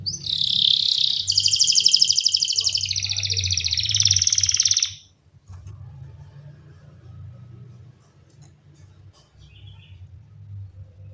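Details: Canary giving a loud buzzy rolling trill for about five seconds, then near silence with a steady low hum.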